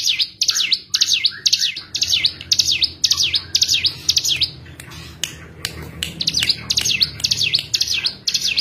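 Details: Cigun song as a lure to get a bird that has gone quiet singing again: rapid, high, down-up chirps about twice a second, with a short pause filled by clicking sounds partway through.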